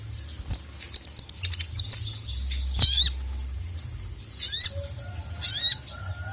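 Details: Crimson sunbird (sogon) calling the male, a lively bird used as a training tutor: a quick run of high thin chirps, then a few sharp downward-sweeping squeaks with pauses between.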